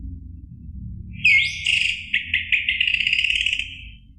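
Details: Orange-headed thrush singing, played to stir a caged bird into answering song: one continuous, loud, high warbled phrase with rapid pulsing notes lasting about two and a half seconds, low hum beneath.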